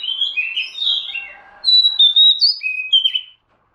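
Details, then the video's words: Oriental magpie-robin lure sound: a jumble of warbled, slurred whistles leads into a loud string of pure, level and sliding whistled notes, ending in silence. "suara pikat kacer"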